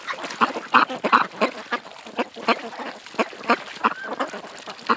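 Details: Distinct separate quacks from ducks at a creek, loud nasal calls spaced irregularly over a quieter murmur of other birds.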